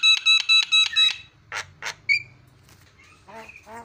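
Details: Javan myna song used to provoke other mynas: five evenly spaced harsh, buzzy notes, then two rasping bursts, a clear rising whistle, and softer whistled and nasal notes.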